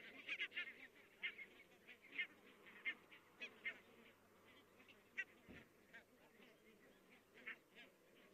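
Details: Distant flock of barnacle geese, Estonia, 22 October 2017, many birds calling at once: a dense, overlapping chatter of brief yapping barks, several per second, over a continuous hum of far-off flock noise.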